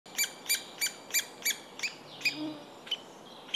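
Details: A hungry three-toed woodpecker chick being fed begs with a quick series of high, scratchy chirps, about three per second, then a few looser, uneven calls.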